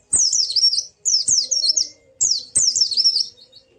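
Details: White-eye as a cage bird, played to get a quiet bird singing: four bursts of shrill, fast warbling chirps, each under a second, with short gaps between.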